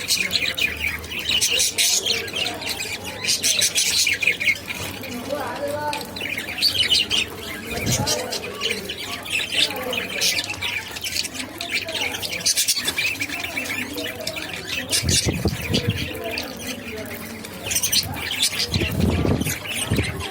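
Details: Budgerigars eating seed at lunchtime chatter steadily with scratchy, warbling chirps and quick high tweets.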